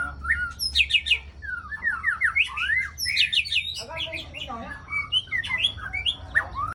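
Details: Lure recording of a white-rumped shama from Ladong, Aceh Besar: loud, continuous, varied song of rapid trills, slurred whistles and rasping chatter phrases following one another without pause, over a faint low hum.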